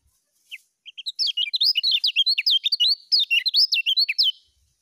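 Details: A lemon-bellied white-eye sings ngejos style: a few spaced chirps open into a dense, quick run of high zigzagging warbled notes lasting about three seconds. Training master recording, clean background.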